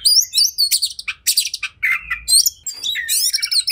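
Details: Fighting oriental magpie-robin (kacer), highly agitated: very high, rapid trilled whistles and scratchy bursts tumble together, with a lower rasping phrase midway before shrill quavering notes return.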